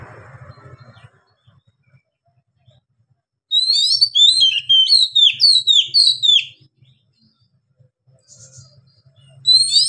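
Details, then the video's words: Singing Oriental magpie-robin (kacer), ngeplong style with long breath; after a quiet start with faint low hum, about three seconds of fast, varied high whistles and downslurred chirps, then a fresh phrase at the end. "KACER GACOR NGEPLONG NAFAS PANJANG BUAT DONGKRAK EMOSI KACER MACET BUNYI"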